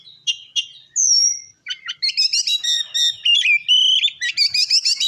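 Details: Oriental magpie-robin singing to provoke other males: a few sharp notes, a long clear high whistle, then a dense run of quick chattering and warbled phrases repeated rapidly to the end.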